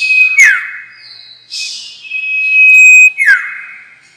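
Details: Trapping lure of the common iora: a falling slurred note, a pause, then a long flat high whistle held about one and a half seconds before another sharp descending slur.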